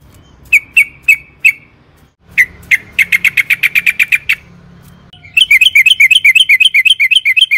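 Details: Sooty-headed bulbul in a long rapid trilling song style, sung to lure other bulbuls into singing: a few spaced sharp notes, then fast even runs of clipped chirps, ending in a quicker bubbling series, with a low engine-like hum.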